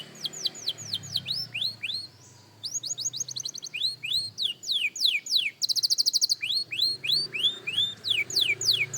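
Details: Beginner young canary rehearsing its song: rapid series of high downward-sliding whistles, a brief pause, then more sweeping notes and a very fast, tight trill before further looping whistled phrases.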